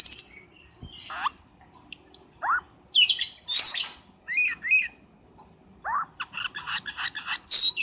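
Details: Lure sounds of a Black-winged starling for trapping birds, a varied sequence of separate high whistles, downslurred squeaks, harsh chattering notes and paired chirps with short silences between them.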